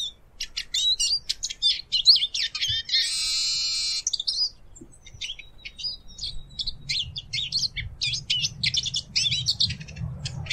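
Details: Eurasian siskin singing a fast twittering song of high chirps and trills, with a harsh buzzy wheeze held for about a second midway, then a thin drawn whistle among further twitters.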